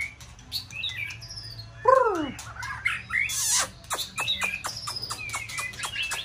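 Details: White-rumped shama, a caged contest bird, giving a mixed phrase of harsh squawks, a falling downslurred note, and scattered clicks with short whistles.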